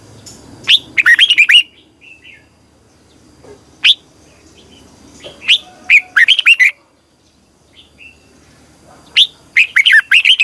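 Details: Red-whiskered bulbul lure bird singing in the morning to train other bulbuls, long double twisting style (giọng kép xoắn dài): three fast phrases of bright, looping, warbled notes, roughly every four seconds, with lone sharp notes and faint calls in between.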